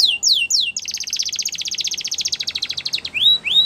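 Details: Belgian canary song: three descending whistled slurs, then a long fast, even trill of short notes for over two seconds, ending with two rising whistles.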